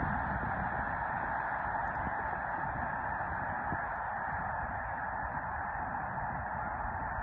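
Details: Snow goose flock taking off in South Dakota in March, heard as a steady far-off wash of overlapping honking calls without a break, with faint low rumble beneath.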